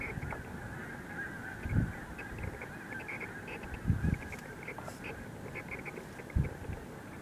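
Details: Snow geese lifting off en masse at Montezuma, New York, on 7 March 2023: a distant, steady chorus of nasal honks, partly masked by three heavy low thumps of wind or handling noise.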